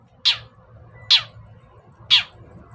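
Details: Long-tailed shrike lure recording, meant to coax quiet birds to call: three loud, grating notes sliding downward, evenly spaced about a second apart, with a soft low hum beneath.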